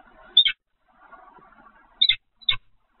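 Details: Peregrine falcon at the Evoluon nest site, 7 February 2020 at 15:55: three short, harsh, doubled calls, each a quick two-note burst, separated by a faint low background murmur.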